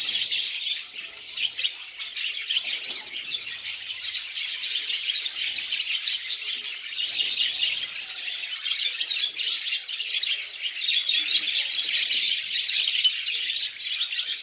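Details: Lovebirds gathered in a colony while eating seeds keep up a steady, high, buzzy chatter of countless overlapping chirps, swelling slightly toward the end.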